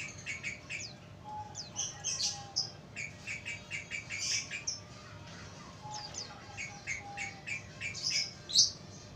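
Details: Sooty-headed bulbul song played to lure wild birds: bursts of bright, chattering chirps with short repeated notes, rising and falling in loudness through the clip, over a steady low background hum.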